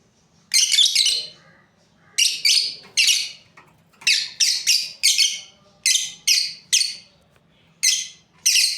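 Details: Breeding pair of lovebirds giving harsh, high, buzzy chirps in quick bursts of two or three, with pauses between clusters; faint low hum in the background.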